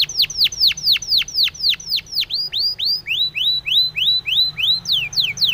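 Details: Spanish timbrado canary singing a training song for canaries: a steady series of loud, clear descending whistled notes, about four a second, shifting to rising slurred notes, over low background hum.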